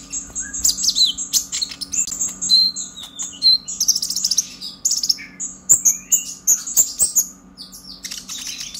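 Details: Purple-throated sunbird, a young bird just past its speckled juvenile stage, chattering in an excited, continuous stream. It strings together high whistled chips, thin squeaks and slurred notes almost without a break, over a soft steady hum.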